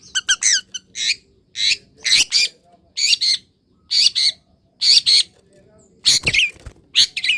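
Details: Caged long-tailed shrike, freshly misted in morning sunshine, giving repeated harsh squawking bursts roughly once a second, broad and raspy, some ending in a short whistled note.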